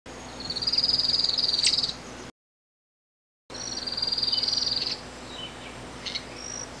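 A Streak-capped Antwren gives a very high, thin, fast trill about a second and a half long, then repeats it, over a soft hiss of background forest.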